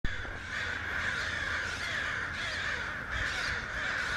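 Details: Crows together with other birds, a dense, continuous chorus of harsh overlapping caws from many birds at once, with a steady low background rumble throughout.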